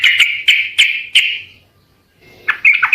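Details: Sooty-headed bulbul in lively, persistent singing, played to draw answers from other birds: four sharp, bright chirped notes about a third of a second apart, then a short pause and a quick burst of rougher, tumbling notes.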